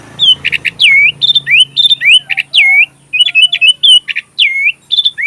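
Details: Sooty-headed bulbul, an energetic singer recorded as magpie-robin filler song: dense, loud, almost continuous chattering of swooping slurred whistles and harsh bursts, with low rumble early on.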